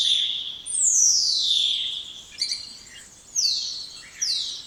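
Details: Spotless starling gives a long, loud whistle gliding downward, then scattered chirps and two shorter falling whistles.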